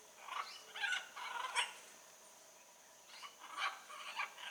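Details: Harsh, rasping calls of a blue-and-yellow macaw in the wild, a busy run of rough squawks early on, a pause, then more grating calls later, fairly distant.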